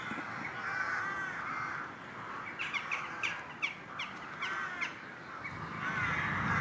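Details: Eurasian nuthatch song, amplified and filtered: about nine sharp, rising whistled notes in a quick, slightly uneven series over two seconds, with harsher, noisy calls before and after.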